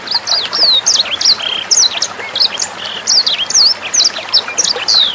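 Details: Sanger bird song used as a tutor recording for training songbirds such as Murai Batu, Kacer, Cucak Hijau and young sangers. Clear, rapid, high twittering phrases of sliding whistles and chirps pour out continuously over soft trickling water.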